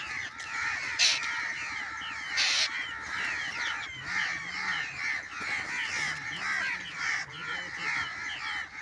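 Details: Babblers caught in a net trap chatter in harsh, squeaky, overlapping calls that run on without pause, with a few sharper bursts and a faint low voice in the background.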